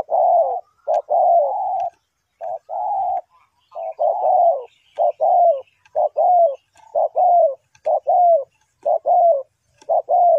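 A Spotted Dove gives soft, hollow coos, mid-pitched and slightly falling, about one note each second in short uneven phrases. No other clear sounds.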